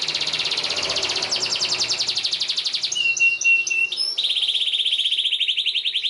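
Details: Canary singing as a teaching model for young canaries: dense buzzy trills, a brief burst of clipped notes with a clear whistled tone, then another steady rapid trill.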